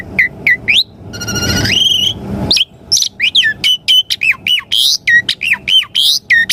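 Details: Energetic Asian pied starling song, a lure for caged birds: a buzzy rising phrase followed by a rapid, rhythmic string of looping whistled notes about every quarter second, over a faint steady hum.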